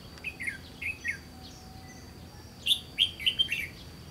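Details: Red-whiskered bulbul in a trapping setting: three quick whistled notes, then a quiet gap with a thin steady tone, followed by a louder run of five or six bright, chirpy whistles.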